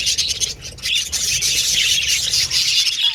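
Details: Several budgerigars chirping and communicating with each other; a dense, continuous high warbling chatter of overlapping squeaks and chirps, with brief clicks and a short dip in activity near the middle.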